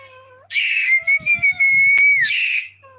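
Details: A talking parrot kept as a pet gives a long, level whistle flanked by two harsh, hissing squawks, with soft low thumps underneath and faint voice-like tones before and after.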